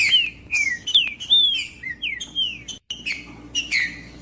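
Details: Green-winged saltator singing strongly, meant to motivate another saltator to sing: loud whistled notes sliding down in pitch, delivered in lively phrases with one brief gap of silence.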